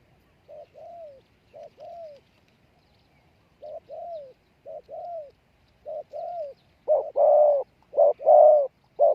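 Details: Spotted dove call used as decoy for wild doves: quiet paired coos with falling tails, then a nearer bird joins with loud, full coos toward the end.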